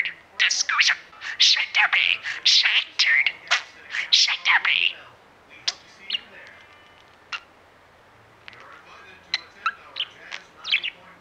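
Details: Disco, a mimicking parakeet, chatters in quick, high, speech-like bursts for about five seconds, then gives scattered short chirps and squeaks with pauses between.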